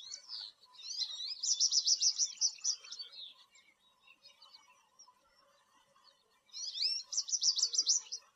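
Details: Song of an American goldfinch: two bursts of bright, high twittering, each built around a fast run of repeated chipping notes, with a quiet gap between them and faint background hum.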